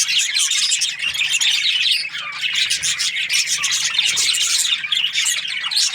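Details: Morning chirping of several budgies, a loud unbroken mass of rapid, scratchy warbles and high chirps that overlap constantly.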